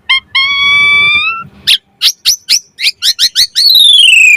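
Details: Asian pied starling in 'mompa' variation song for tutoring and luring starlings: a long, slowly rising pure whistle, then about ten crisp clipped notes roughly three per second, closing with a smooth falling whistle.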